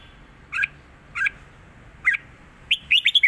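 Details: Red-whiskered bulbul performing southern Thai song, used for teaching birds: three separate bright double notes spaced under a second apart, then a fast fluttering run of chirps.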